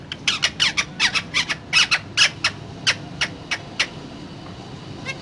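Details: Pet parrot giving a rapid series of short, harsh squawks and clipped syllables, about a dozen bursts in five seconds, some with quick rising-falling sweeps, recorded indoors with faint background hum.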